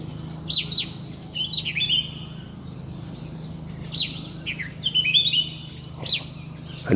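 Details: Red-whiskered bulbul singing high in a treetop in the morning sun, giving short, bright, liquid whistled phrases, several in quick bursts every second or so, over a steady low hum.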